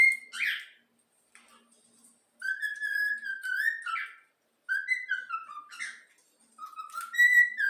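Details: A trained yellow-cheek cockatiel whistles part of the Flamengo anthem. It opens with a short burst, goes quiet, then gives sustained whistled phrases that slide down in steps, with pauses between phrases.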